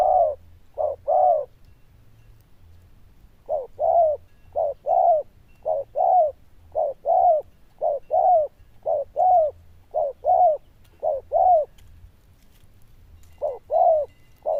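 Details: Steady run of paired coos from a zebra dove noted for its loud, bell-like tone and good cooing, each pair a clipped note then a rounder one, with brief gaps between phrases.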